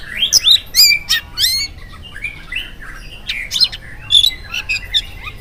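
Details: Oriental magpie-robin in lively morning song, played to coax other magpie-robins into singing. It gives rapid downslurred whistles and buzzy chattering notes, loud at first, then a pause, then fresh bursts of sweet and harsh phrases.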